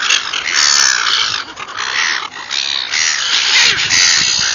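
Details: Seagulls being fed, producing a loud, continuous wall of harsh, overlapping cries with a short dip partway through before the racket resumes at full strength.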